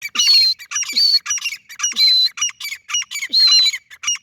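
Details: Francolin calling in a steady run of harsh, squawky notes stacked with thin whistled overtones, about three notes per second with short gaps, loud and close throughout.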